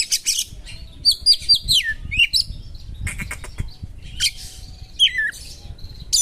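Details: White-rumped shama singing sharply with imitated small-bird notes: repeated slurred whistles falling in pitch, buzzy rattled bursts and high chips in quick, varied phrases.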